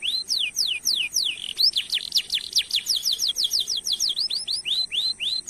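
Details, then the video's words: Lively singing canary used as a lure for other canaries. Fast runs of high downslurred whistles give way to repeated rising chips, steady and energetic throughout, with no other sounds. "Masteran Suara Burung Kenari Gacor Nembak Suara Unik/Pancingan Ampuh Kenari cuit cuit Ngerol Panjang"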